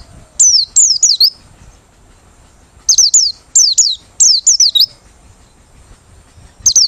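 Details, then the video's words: A Merapi white-eye sings with open beak, a song used as a trapping lure: bright, high downslurred whistles in rapid runs of three to five notes, broken by brief silences. "Pleci Merapi Ngalas Losssdol,cocok buat pikat~pancingan || Buka Paruh"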